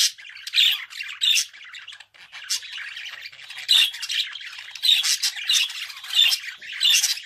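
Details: Budgerigar warbling continuously with scratchy, buzzy chatter and a string of bright chirps spaced less than a second apart.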